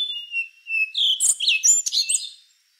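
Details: Rufous-brown solitaire giving a single song phrase: a thin sustained whistle leading into a fast jumble of high, fluty, rising and falling notes.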